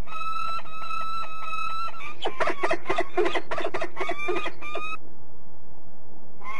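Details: Peregrine falcon, De Mortel, Netherlands: harsh repeated notes, then a burst of rapid clattering clicks mixed with rising calls, and quiet for the final stretch.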